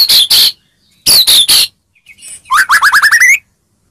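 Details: Lure song to push a silent white-rumped shama into excitement: two pairs of harsh buzzy bursts, then a fast rising series of clear whistled notes accelerating upward.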